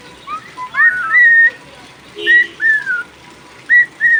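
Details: Cockatiel whistling while rain falls: short bright whistles that rise then hold level, given in three bursts with pauses between, and a faint lower tone near the middle, over a soft background hiss.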